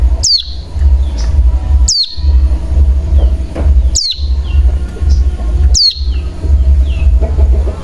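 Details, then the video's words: Bar-winged prinia lure recording used to trigger singing in other birds: four abrupt high notes dropping in pitch, spaced roughly two seconds apart, with faint softer chirps between, over a constant low droning hum. "Pancingan Cigun Bahan Agar Bunyi Langsung Ngebren"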